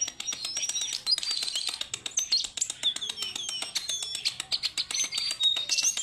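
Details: Tame, actively singing caged Siberian blue robin giving a rapid, varied stream of high twittering and whistled notes, some sliding up or down, with steady rapid clicking in the background.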